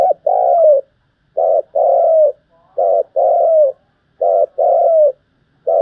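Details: Spotted dove cooing, used as a lure for trapping birds; loud low coos in short and longer phrases, each ending in a falling note, repeated about every one and a half seconds in a quiet indoor setting.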